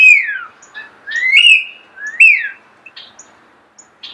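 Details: Starling singing nearby: clear slurred whistles, a high note gliding downward, then two notes that swoop up and fall away, separated by short gaps, with a few faint soft chirps in a quiet background.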